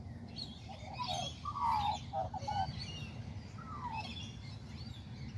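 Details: An Australian magpie in a tree at Kings Park, Perth, Western Australia, delivers a string of fluty, broken warble notes, then a single descending phrase, against a persistent low hum.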